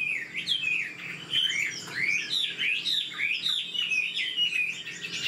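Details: Singing Chinese hwamei, an old wild-caught caged bird with a fast-paced voice, gives dense warbled phrases of bouncing whistles and twisting slurred notes repeated with barely any pause.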